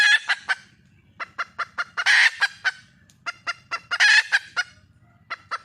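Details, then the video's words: Clucks strung in quick series lead into two bursts of raspy squawking from a wild red junglefowl hen calling for a male. "le bruit d'une poule sauvage,เสียงไก่ป่าร้องหาถู่หาตัวผู้,ສຽງໄກ່ປ່າຮ້ອງຫາຄູ່ຮັກ, poj qaib qus see"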